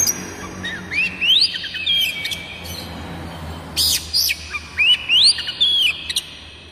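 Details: Oriental magpie-robin song used as a lure to prompt kacer birds to sing: clear whistled phrases rising sharply then dropping, repeated twice with short buzzy, scratchy notes between, over faint low background hum.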